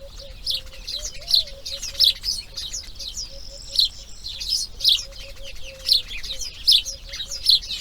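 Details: Nestling grey herons on breeding day two: a steady run of high, scratchy chirps, about one or two per second, with a quiet humming tone beneath.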